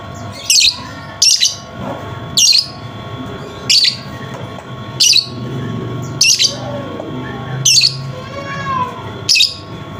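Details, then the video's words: Lovebird sound used to coax a lovebird that has stopped singing: sharp high chirps repeated roughly every second, over a steady low hum and faint tonal background. "pancingan Lovebird macet bunyi"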